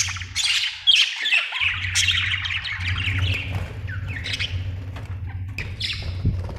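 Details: Budgerigars give a run of descending squeaky chirps and warbles, thinning into scattered short tweets, with a steady low engine-like hum in the background.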